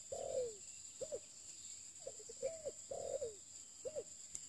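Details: Newly acquired spotted dove kept for luring, calling with soft mellow coos, a drawn-out note then shorter paired notes, repeated about every second against a constant shrill insect drone.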